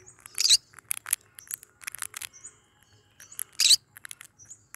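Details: Yellow-sided and cinnamon green-cheeked conures kept as pets let out two loud, rasping squawks about three seconds apart, with softer chirps and clicks between them in a quiet room.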